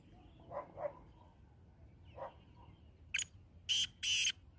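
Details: Black francolin, known locally as kala teetar, giving harsh, grating bursts: a few faint low notes early, then three loud, rasping, broadband calls in quick succession near the end over a quiet rural background.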